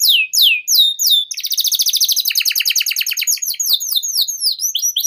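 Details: Canary singing long and continuously, a lure and tutor song for young canaries: loud descending whistled sweeps repeated about three per second, then a rapid buzzy rolling trill with steady pulses, ending in more downward sweeps.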